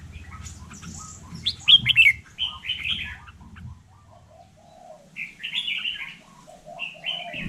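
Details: Vietnamese hill myna imitating human speech with a run of bright, rasping, voice-like phrases, a pause, then several further clipped syllables; low rumble and faint background noise in the first half.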